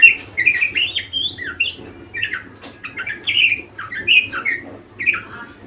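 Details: Budgerigar in vigorous song: bursts of squeaky, chattering chirps and short squawks with brief pauses between phrases, over a faint low hum.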